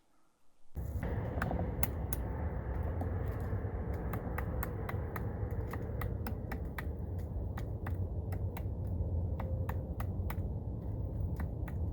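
Irregular sharp clicks and snaps over a steady low rumble; no animal voices.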